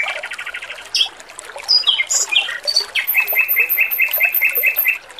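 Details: Male red-billed leiothrix singing vigorously, used as a training recording for other songbirds, with trickling water behind. Fast rattled trill, then varied sweet whistled notes, then a rapid series of bright repeated notes with a high thin overtone.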